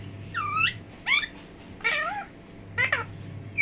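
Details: A talking parrot gives four separate voice-like bursts, each a bending, harmonic tone that rises or dips sharply, spaced about a second apart over a faint constant hum.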